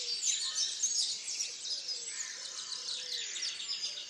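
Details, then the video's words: Dawn chorus at Tophill Low nature reserve near the picnic table main hide, 30 March 2019: many small birds overlap in a continuous high, twittering wash of chirps and trills, with faint lower whistles underneath. "TopHill Low dawnchorus"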